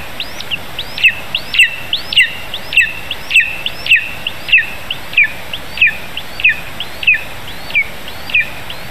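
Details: A lesser spotted eagle chick in its nest in Zemgale, Latvia, on 15 July 2019 as a vole arrives: a long, even series of thin, high, down-slurred piping notes, about fifteen in nine seconds, with soft background noise.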